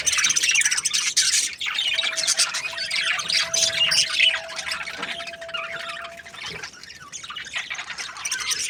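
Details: Budgerigar chirping starts loud and thins out, with rapid scratchy twitters, while a steady low whistle-like tone runs underneath through the middle.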